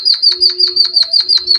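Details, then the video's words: Java sparrow singing as training material for other birds, a rapid regular series of bright high chips, about six per second, with a steady low hum in the background. "Suara burung pipit bondol haji emprit kaji gacor"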